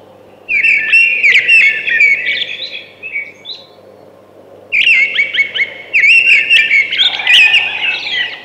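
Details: A thrush sings two bursts of rich, fluttering whistles with sharp rising and falling notes, separated by a pause of about a second and a half, with a soft steady hum behind.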